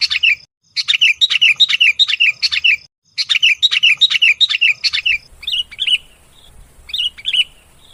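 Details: Lure call for attracting sooty-headed bulbuls: fast runs of rattling chirps in two long bursts, then slower, scattered bubbly whistled notes with a faint low rumble behind.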